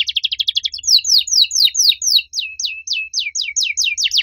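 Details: Domestic canary singing loudly with distinctive phrasing: a quick stuttering burst of high notes, then a steady run of clear downslurred whistles repeated about four times per second. Faint low rumble in the background.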